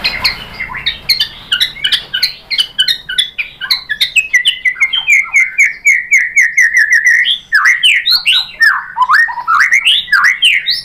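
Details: Indonesian murai batu (white-rumped shama) lure song for making birds answer and sing: a dense, fast chatter of chirps and whistles, around 79 notes a minute, turning into louder varied slurred phrases.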